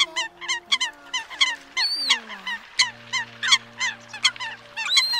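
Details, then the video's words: Eurasian coots, used as a lure for night-netting migrating birds, give a dense chorus of short, nasal honking notes, about one or two a second, over a low steady electrical hum. "Tiếng Sâm Cầm"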